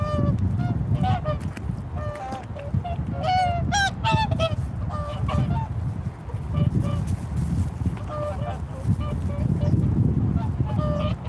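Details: Swans calling repeatedly in a series of loud, nasal, trumpeting honks, some rising and overlapping, with a few closer, more intense notes midway, over a constant low rumble of wind or background noise.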